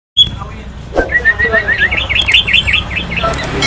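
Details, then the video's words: Six-year-old sooty-headed bulbul singing loudly: a run of quick, bouncy up-and-down whistled notes repeated several times a second over a steady low hum. "CUKUP NYARING !! Suara Burung Kutilang Berumur 6 Tahun."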